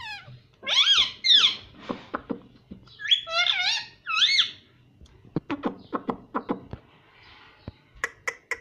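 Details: Pet parrot known for saying "Mummy Mummy" and "Mitthu mitthu". Two clusters of loud, wavering harmonic phrases are followed by a long run of dry clicks and ticks, indoors.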